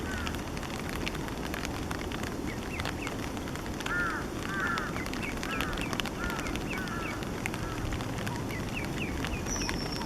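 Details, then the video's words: Somewhat grown Eastern spot-billed duck chicks, their calls said to differ from those of tiny newly swimming young, recorded 5 July 2015; repeated high arched peeps in loose clusters, strongest mid-recording, over constant rushing noise. "カルガモ "Anas poecilorhyncha zonorhyncha" 雛の鳴き声"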